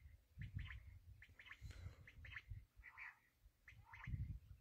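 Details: Black francolin, known locally as kala teetar, heard in a quail-hunting setting: rasping, scratchy note clusters in quick bursts separated by short pauses, with low rumbling background noise throughout.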